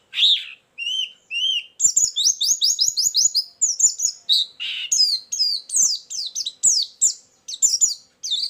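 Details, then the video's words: White-eye song used as a lure sound for trapping birds: high, thin notes at first, then a fast, varied run of sharp chirps and descending twitters packed densely together, with brief pauses. "suara burung pleci pikat+isian"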